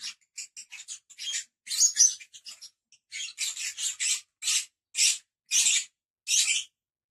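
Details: Five pet lovebirds kept together: a series of sharp, high chirps and short screechy notes, some in quick clusters, then evenly spaced harsh squawks about every half second.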